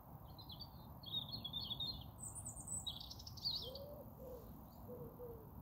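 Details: European robin singing, with a chiffchaff nearby: a sequence of high, thin warbled and trilled phrases, some sweeping and shimmering, separated by short pauses, over a steady low rumble of background noise.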